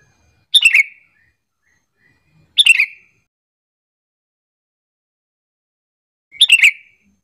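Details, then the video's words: Sooty-headed bulbul lure call, used to draw other bulbuls into answering; three short, harsh chirped bursts with a brief trailing whistle, spaced irregularly over seven seconds against a quiet background. "Pancingan Kutilang biar bunyi gacor sahut sahutan"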